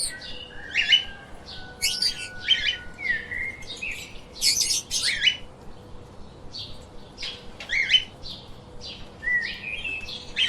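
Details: Several pet lovebirds chirp in frequent short bursts, mixing sharp high squeaks, harsh buzzy notes and brief flat whistles, with a faint steady hum underneath.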